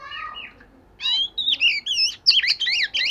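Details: Oriental magpie-robin singing during daily voice practice: soft lower warbles, then a quick run of bright, clear whistles and sweeping, trilled notes in rapid succession.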